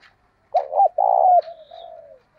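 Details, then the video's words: Lure spotted dove with the thổ sấm and thổ bầu voice styles: a quick double hoot and a rolling coo, trailing into a soft falling murmur, with a faint high chirp behind. "Chim Cu Mồi - cu gay kich boi nhanh noi gù"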